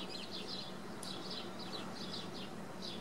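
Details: High, squeaky twittering of swallows at Wicken Fen, short chirps in loose clusters throughout, set against constant low-pitched environmental noise.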